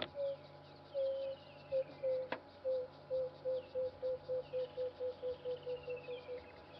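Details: At sunrise on 24 December 2014, on an African safari drive, a small emerald-spotted wood dove calls, changing its body posture to fill with air: soft, low hoots, spaced at first, then quickening into a run of about a dozen short notes, with one sharp click partway through.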